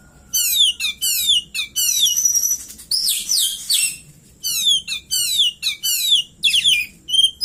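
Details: Caged Oriental magpie-robin singing vigorously with cililin imitations worked in; loud runs of fast, steeply descending chirps repeated in quick bursts, one harsh rasping phrase midway, and a few clear whistles.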